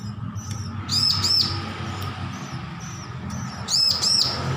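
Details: Recently weaned young bar-winged prinia learning to sing, used for training other birds: two short bursts of paired high arched whistles separated by a pause, with faint scattered chips and a constant low background hum.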